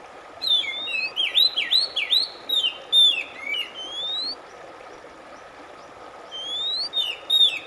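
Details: Oriental magpie-robin singing, for relaxing stressed birds so they start singing again: quick loops of rising and falling whistles, then long upslurred notes, a pause, and the phrase starting again over a constant faint hum.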